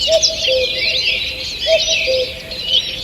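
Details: Morning birdsong in a forest, 2 June 2023: a dense chorus of high twittering and whistled phrases, with a low, soft two-note tone recurring twice in three seconds beneath it.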